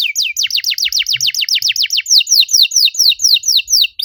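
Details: Canary master song for stimulating canaries that have gone quiet: a long, steady run of loud, sharply downslurred whistled notes, about four per second, slightly changing in shape toward the end.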